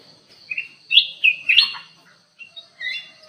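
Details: Aviary black-crested bulbul singing hard for luring: clear rising and falling whistles bunched in a rapid group, a pause, then two short chirped phrases, over a faint constant high hum.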